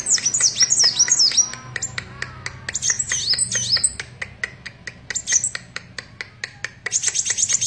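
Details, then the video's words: Singing kolibri wulung or kaca sunbird: quick high-pitched squeaky twitters in short bursts, alternating with runs of dry rhythmic clicks and a faint low hum behind. "Burung Kolibri Wulung / Kaca Gacor"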